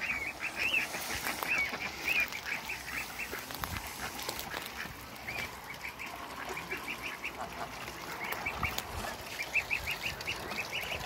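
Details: Ducks greeting one another as a group of four meets three Pekin ducks; clustered bursts of short, high, nasal notes come in quick series with pauses between, above faint hiss and low noise.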